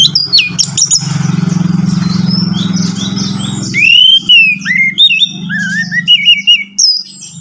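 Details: Captive-bird lure recording of orange-headed thrush. A low hum dominates at first with scattered high notes, then clear rising and wavering whistled phrases and quick chirps take over in the second half.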